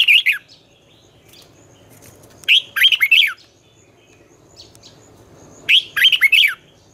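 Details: Red-whiskered bulbul morning song in the twisting style used to train young birds: three bright, warbled phrases of quick rising and falling whistles, each under a second long, separated by pauses of about two seconds.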